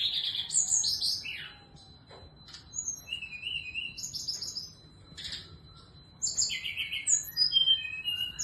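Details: Female Sunda scarlet minivet singing busily in the morning; high thin whistles, sharp chirps and short slurred trills come in bursts, with a quiet gap mid-clip, over a constant high faint tone.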